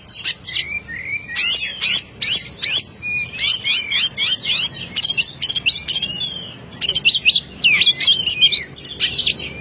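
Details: Oriental magpie-robin in the 'ngeplong' style of song, used to provoke a rival bird: high, rapid phrases of sharp clicks and twisting whistled notes, repeated in bursts with short pauses.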